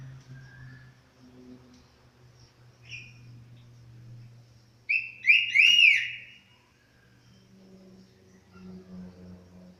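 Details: Orange-headed thrush singing after its moult, giving one short, clear, whistled phrase of rising and falling notes after a few soft notes, against a steady low hum.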